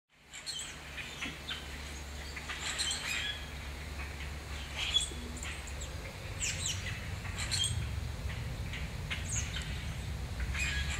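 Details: Large gathering of Common Grackles in Canada giving overlapping harsh chacks and squeaky, creaking notes throughout, over a steady low rumble.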